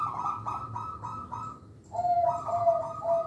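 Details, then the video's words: Local zebra dove song used to lure young birds. A rapid series of short, stuttering pulses is followed by clear, ringing, level coos mixed with a vibrating trill. "Perkutut Lokal Suara Istimewa, Pemikat Bakalan"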